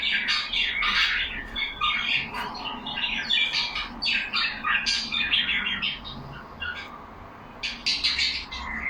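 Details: A group of caged pet budgerigars chattering among themselves for several seconds: continuous overlapping warbles, clicks, squawks and chirps, busy and uneven, with a brief lull before a final burst.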